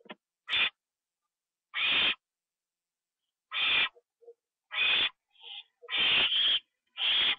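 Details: Owl at night, 1:52 AM on 25 September 2011, receiving a treat that is eaten inside; harsh, hissing screech bursts about half a second long, repeated irregularly, with a few soft short chirps between them.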